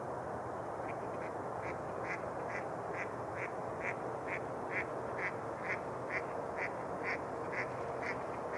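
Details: Quacking mallards on open February water at Rush Lake in New Brighton, Minnesota: a steady, evenly spaced run of about seventeen short nasal quacks, a little over two per second, against constant broadband noise.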